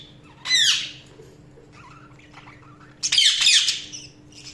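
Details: Budgerigars chirping indoors: two short bursts of harsh, buzzy, high chatter with a downward-curving whistled note near the start, separated by quiet, and a steady faint electrical hum underneath.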